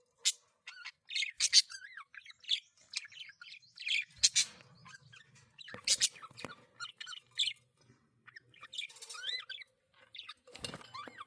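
Budgerigars chatter with rapid squawks, chirps and warbled whistles in an irregular, nonstop stream.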